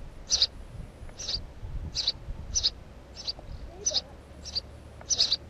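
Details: Steady run of eight crisp, high-pitched sparrow chirps, one about every seventh-tenths of a second, with light low background rumble; the bird is a house sparrow.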